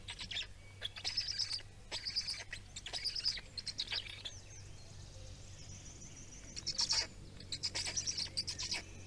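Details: Feeding Black storks, Estonia, 17 May 2019: short, scratchy, high chattering bursts repeated about every second, fading midway and then returning more strongly, with a steady low hum beneath.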